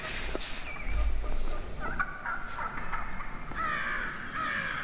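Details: Hen wild turkeys in a large flock at morning, a mix of yelps, clucks and purring notes from several birds, with brief bumps of low noise near the recorder.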